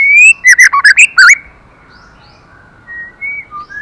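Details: Female white-rumped shama stimulating the male: a bright whistle opens into five or six quick, loud, rhythmic notes, then fading soft whistles.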